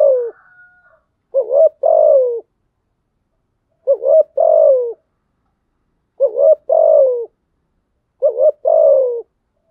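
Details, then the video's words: Spotted dove used as a lure bird, cooing to stimulate other doves: four low coo phrases, each a short double note followed by a longer falling coo, repeated about every two seconds in a quiet setting. "Tiếng chim cu gáy mồi thúc gù kích là gáy 100%"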